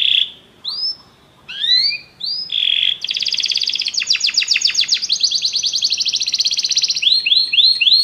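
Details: Canaries singing together after a song is played: varied whistled slurs and tones, then a long rapid rolled trill, ending in repeated rising whistles.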